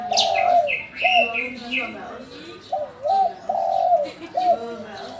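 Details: Local spotted dove calling readily in reply to other birds' voices: a series of low, mellow, bubbling coos, each about half a second long, with a short gap between them. Higher chirping from other birds sounds throughout.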